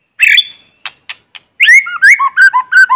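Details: A decoy white-rumped shama singing in forest to provoke rivals, with no noise; a harsh opening note and soft ticks lead into a run of clear, rolling whistled notes that swing up and down in pitch.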